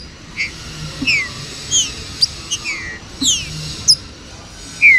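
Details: Green-winged saltator giving clear, slurred whistles, mostly falling in pitch, in short bursts every half second or so at varied heights, over a steady faint hiss; the recording is meant to warm up and excite kept birds.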